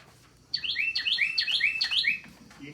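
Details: Nesting-season Carolina Wren belting out its loud ringing song, rendered as "teakettle" or "cheeseburger": five quick, bright two-note phrases rolled together in under two seconds, clear above a quiet background.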